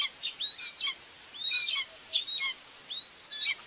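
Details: Webcam view of a common buzzard nest at Tiszalök, Hungary, June 2, 2024, with the mother feeding two young; piercing, thin whistles that arch and fall, four in under four seconds, separated by short pauses.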